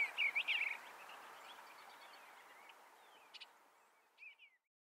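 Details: Eastern Bluebird at Cedar Haven Farm, Ontario, a farmed property of upland forest, swamp and meadows with bluebird nest boxes: a short burst of soft, warbled mid-pitched notes, then two faint notes over a steady background hiss.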